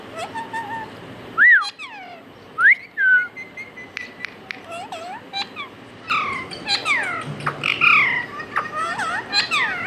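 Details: Pet talking parrot mimicking words and a cat's meow; scattered curved whistled notes and clicks over steady background noise, with a louder burst of chattering squawks near the end.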